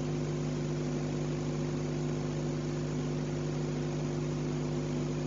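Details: Constant droning engine hum with steady low tones, and no animal calls.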